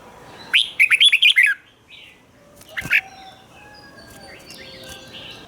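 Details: Red-whiskered bulbul singing the Thai 'rik' doubled style, played for young birds to learn: one fast phrase of six bubbling whistled notes, then a short note and quiet high background calls.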